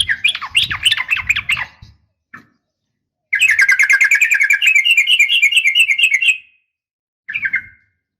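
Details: Female sooty-headed bulbul calling for males in the morning. A bubbly burst with low rumble is followed by a pause, then a sustained three-second rapid trill of rising chirps and a final short chirp.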